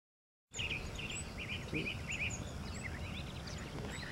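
Pyrrhuloxia giving a quick run of short, slurred chirps, several per second, with a few thin higher notes, over a steady low rumble of wind or distant noise.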